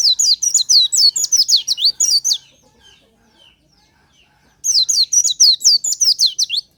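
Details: Oriental white-eye, natural song used as a lure, heard in the morning: a burst of fast, high, downslurred twittering notes, a pause of about two seconds, then another rapid chattering run.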